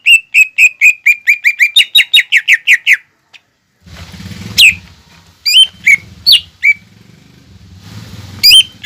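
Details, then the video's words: Lively greater green leafbird singing, played to spur young birds to start singing. It begins with a rapid string of about fifteen identical ringing whistles, then gives scattered sweeping, slurred notes over a low rumbling background hum. "PANCINGAN CUCAK IJO GACOR UNTUK MERANGSANG EMOSI OMBYOKAN/TROTOLAN BIAR CEPAT BUNYI"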